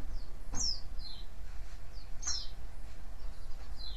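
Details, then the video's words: Lure calls of a white-eye for drawing answering birds: two brighter downward-sweeping chirps stand out among softer high twitters, over a low droning background noise. "cuitan dan crecetan pleci ini ampuh memancing pleci lain nyaut"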